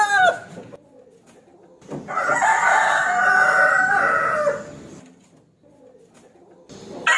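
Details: A rooster calling out a rival to fight gives one sustained, rasping crow of nearly three seconds, framed by brief clucking and the onset of another call.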